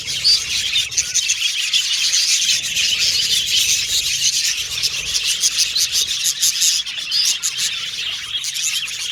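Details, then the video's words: Pet budgies in chorus, an unbroken stream of buzzy high chatter and fast chirping, slightly rasping in tone, loud throughout. "Australian Budgies Birds Singing & Chirping Sound"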